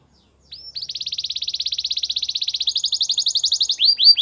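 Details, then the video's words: After a brief silence a Belgian canary delivers a long, even, rapid trill of arched notes, shifting higher near the end into looser separated whistles. "Belgian canary song"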